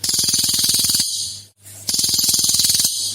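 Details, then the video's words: Cililin lure recording, an energetic song: two dense, rapid buzzy trills, each about a second long, packed with quick harsh pulses and separated by a short pause with a steady low electrical hum. "SUARA ASLI CILILIN GACOR / Tembakan 3 Jenis Suara Jarang Ada !!! PANCINGAN BUNYI CILILIN"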